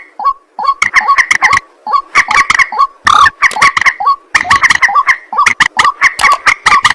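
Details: White-breasted waterhen at night, a rhythmic chain of rough croaking notes, about two per second, grouped in clusters of four to six with short silences between.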